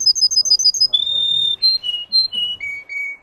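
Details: Song of a Russian canary bred for singing: quick, rolling high trills, then a run of long, pure whistled notes that step down in pitch, each held about half a second.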